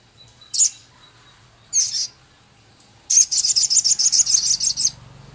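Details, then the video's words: Male Javan cochoa giving its rough chattering and ticking: two separate sharp high chips, then a rapid rattle of about fifteen harsh high notes over nearly two seconds. "Burung Sogon Jantan gacor isian full Sepah raja ketikan crecet kasar"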